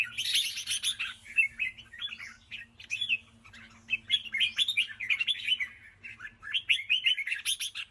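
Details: 'Ché' style song of a red-whiskered bulbul: a quick run of bright, scratchy notes, then bouncy, slurred two- and three-note phrases repeated in fast succession, over a quiet low background hum.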